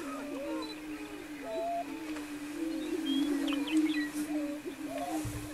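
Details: Several greater prairie-chickens gathered on a lek near Wray, Colorado, on April 17, 2011, keep up a continuous low moaning drone, broken by scattered swooping cackles and thin high chirps, with a faint thump near the end.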